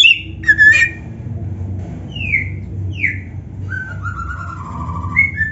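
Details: Kacer (oriental magpie-robin) song, played as a training lure for young or reluctant kacer birds: spaced clear whistles, some falling and some drawn out and level, separated by pauses, over a steady low hum.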